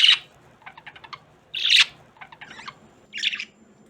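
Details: Two indoor pet budgerigars near Christmas: loud scratchy chirps at intervals separated by quick strings of soft ticking clicks, over a low background hum.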